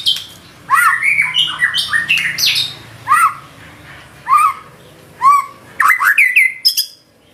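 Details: Loud white-rumped shama song with filler phrases, a tumbling opening run of whistles followed by single downslurred notes spaced about a second apart and a final quick cluster of sharp rising notes.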